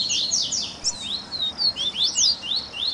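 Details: Double-collared seedeater warm-up recording for stimulating a captive bird to sing: a few clear, high, downward-sliding whistled notes, then short sweeping chirps repeated about every quarter second.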